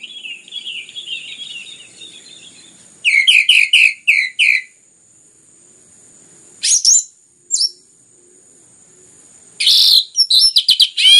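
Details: Orange-headed thrush singing loudly, a recording meant to get other birds singing: a faint warbling start, then a run of about eight clear descending whistled notes, isolated short calls, and a final burst of fast high chatter.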